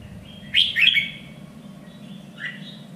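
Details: Red-whiskered bulbul, raised for singing contests, delivers one loud slurred warbling phrase, then a quieter trailing whistle, over a low background hum.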